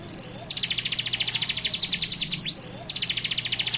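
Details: A canary sings rapid, high rattling trills of about ten notes a second, broken briefly by a sharp sweeping whistle before the trilling resumes over a faint low hum.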